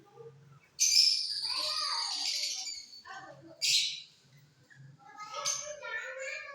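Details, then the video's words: Colour-mutation lovebirds singing in a flight cage during the off season: a loud, harsh, buzzy chattering burst held for about two seconds, then a short sharp squeak, with soft voices talking low in the background. "Love birds Mutation singing during off session"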